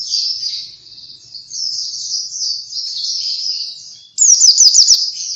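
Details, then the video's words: High, continuous warbled twittering from an Oriental white-eye, steady and fairly soft for four seconds before a sudden louder burst of quick sharp chirps at the end; a bird song for luring others. "Burung Pleci cuitannya gacorr cocok untuk pancingan!!"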